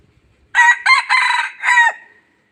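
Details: Red junglefowl decoy bird from Laos, used to lure other fowl, gives one loud clipped crow of four harsh harmonic bursts, the last syllable falling away, in a quiet setting.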